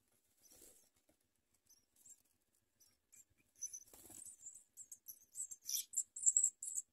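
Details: House sparrow nestlings being fed by their mother, biting at her, give thin, very high, squeaky begging cheeps in quick bursts that grow louder and more frantic toward the end, with some soft rustling.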